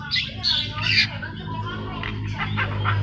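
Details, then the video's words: A newly bought caged Javan myna, already chattering vigorously on arriving home, gives harsh, squawky chattering notes in quick bursts, pauses, then chatters again, over a steady low indoor hum. "jalak kebo baru beli taunya sudah ngeriwik gacor"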